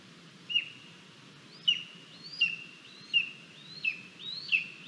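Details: Begging female lesser spotted eagle chick at its nest, 28 July 2022, while its parents deliver a frog and a vole, live nest camera: six high, thin whistled notes, each with a falling tail, spaced under a second apart over steady hiss.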